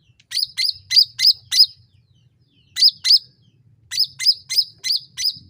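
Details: Sooty-headed bulbul calling in a lure recording used to make other birds answer quickly: sharp, high, arched chirps in bursts of five, two and five, about three per second, over a faint low hum.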